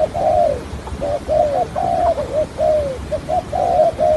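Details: Spotted dove used as a trapping lure, with a halting, stuttering coo in the deep 'hạp bổi' voice: a run of moderate, hollow notes, short and long ones mixed, some dipping downward at the end.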